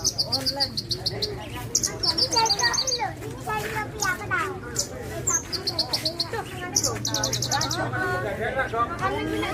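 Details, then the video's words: Song of a Javan bushlark of the Parva type: fast high rattling trills alternating with varied warbled and twittering phrases, dense and continuous, over a low droning hum. "Suara Burung Branjangan Parva"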